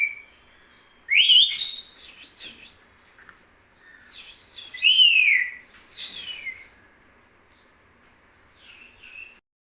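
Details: Talking parrot giving loud, harsh, rasping squawks and warbling sounds in two main bursts, with softer mutterings between and toward the end.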